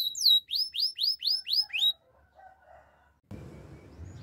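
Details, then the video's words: Canary singing a training phrase of six looping upward whistled notes, then near silence with faint soft notes and a patch of background noise. "Bird sounds canary chirping! The best canary training song"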